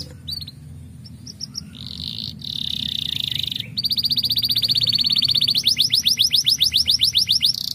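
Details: Canary singing to stimulate birds, starting with scattered high chips and a steady buzzy tone, then building into rapid rhythmic trills of quick high swept notes growing louder toward the end.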